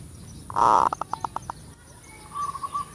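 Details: Full kerot style zebra dove song meant to lure birds: a loud rough burst followed by about six quick staccato pulses, then a softer run of evenly spaced cooing notes, with faint background hiss.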